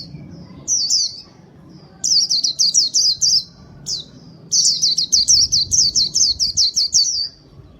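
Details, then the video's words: White-eye song, used to lure birds: bursts of rapid, high, thin chirps, each sliding downward, strung into quick runs separated by short pauses, with a faint low background hum. "Kicau pleci gacor paling ampuh buat pikat"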